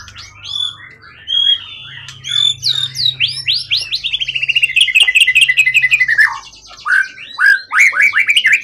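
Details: Long-kept competition songbird of forest origin with a 20 cm plus tail, singing strongly: varied whistles build into a fast even trill of repeated notes, then loud slurred whistled phrases.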